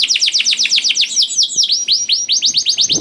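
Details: Canary song meant to prompt others to sing: a brisk run of sharp descending notes, slower curving swoops in the middle, then quick repeated high chips to the end.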